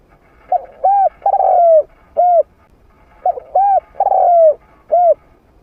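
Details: Trained spotted dove with a middle-pitched voice, used to draw wild doves in to fight: the same mellow phrase of short coos, a long sliding coo and an end note, repeated twice in quiet surroundings.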